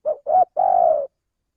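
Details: Lure call of a spotted dove, tagged as male: two quick hooting notes followed by a long level coo, all mid-pitched and clean, with silence afterward.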